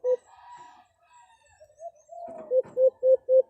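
White-eared brown dove giving a fighting call: short, low, hollow hoots repeated about three times a second, preceded by softer, wavering murmurs.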